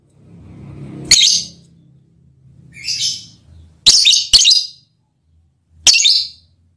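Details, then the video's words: A lovebird calls to its male partner with its mating call: five sharp, shrill chirps at uneven spacing, two of them close together, and one softer, breathier note among them. "Lovebird's mating call and its effect on the male partner"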